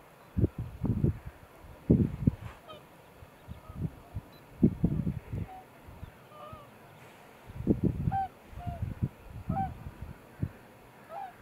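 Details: Nesting cormorants in a colony at the start of the breeding season: bouts of low, rasping croaks separated by short pauses, with faint higher calls scattered throughout.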